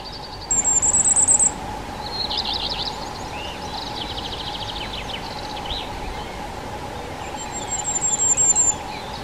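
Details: Common firecrest giving two bursts of very high, thin, rapidly repeated notes, each about a second long, at the start and end. Lower twittering from other birds fills the gap, over a steady background hum.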